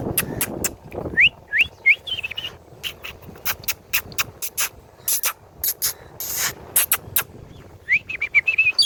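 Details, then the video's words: Hand-tame rose-ringed parakeet, a ringneck kept as a talking pet, perched on a hand; short rising whistled chirps and squawks in small clusters, among many sharp clicks and tapping noises. "Ringneck talking parrot talking in urdu and hindi on hand"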